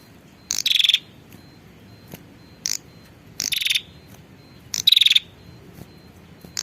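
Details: Calling female prinia, used to lure a male. Three rasping, pulsed trills arrive about two seconds apart, separated by short ticking notes.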